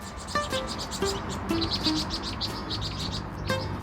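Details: Winter flock of Vinous-throated Parrotbills in bushes or shrubs, chattering with rapid, thin, high twittering notes that keep the flock together for finding food and avoiding predators, under a few soft, descending musical notes.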